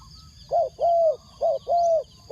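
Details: Spotted dove decoy calling wild doves: two clear pairs of coos, each a short hollow note followed by a longer, slightly falling drawn-out coo, with a high steady tone behind.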